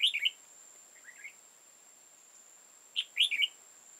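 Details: {'text': 'Wild red-whiskered bulbul, old, with a tall crest and deep bib, recorded while trapping on 15 October 2018; two bright fast warbled phrases about three seconds apart, with a quieter softer phrase between them.'}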